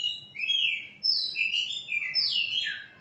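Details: Continuous, fluid whistling from a white-rumped shama, with clear notes gliding up and down through one flowing, melodious phrase.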